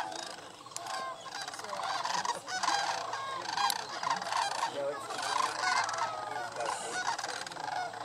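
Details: Thousands of sandhill cranes on annual migration at Paynes Prairie State Preserve near Gainesville, North Florida, keep up a dense chorus of rolling, trumpeting rattles, many voices overlapping without a break.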